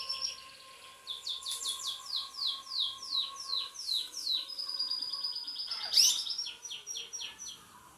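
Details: Several pet Belgian canaries sunbathing sing a lively song: rapid, sweeping notes sliding downward, repeated in quick series, then buzzy trills and a sharp bright note near the end, over a faint steady hum.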